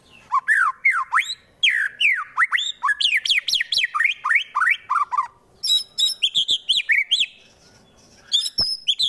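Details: Fighter-type white-rumped shama, Wonosobo, Central Java, singing rough 'tembakan' bursts meant to anger rival birds: loud, rapid swooping whistles sweeping up and down, then sharper chips and trills with a short pause near the end.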